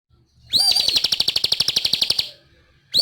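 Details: Bar-winged prinia (ciblek) singing vigorously: an opening upslurred whistle, then a fast, even series of sharp, high ticking notes, about six per second, lasting under two seconds before stopping; another whistled phrase begins at the end.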